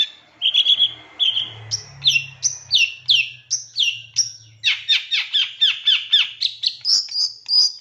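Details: Captive-training master song of a long-tailed shrike, 'full isian nembak' style: varied whistled and slurred notes at first, then a fast, steady burst of sharp downward-swept chips, ending in high thin whistles, with a faint low hum beneath.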